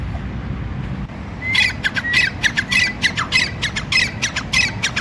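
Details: After a quiet second and a half, a male grey francolin (teetar) breaks into loud, rhythmic grating calls. Short whistled upslurs are followed by harsh broadband rasps, repeated fairly regularly to the end over low background noise.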